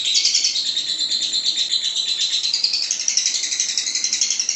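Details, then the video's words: Lovebird contest-training recording, sung in the long 'ngekek' chatter style, heard as a dense, high, buzzy trill that runs on without a break and drifts slightly upward near the end. "Masteran loveBird Juara"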